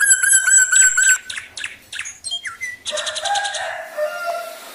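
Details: Male Black drongo giving lure song to set other birds singing: a held harmonic note, then varied quick slurred notes, rising and falling squawky phrases, and a buzzy rattling passage, with faint rhythmic ticks behind.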